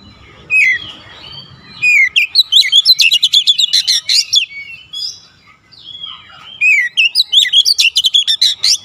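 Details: Kacer, or Oriental magpie-robin, in energetic gacor song that shows off its repertoire: bright swooping whistles alternate with rapid rattling chips in dense bursts, with a brief lull near the middle.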